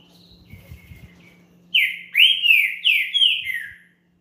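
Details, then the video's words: Champion green-winged saltator song, played to warm up another bird: a burst of five loud, slurred whistled notes that each fall in pitch, delivered in quick succession after a quiet start with a faint low hum. "ESQUENTE SEU TRINCA FERRO RÁPIDO NO CANTO DE UM CAMPEÃO"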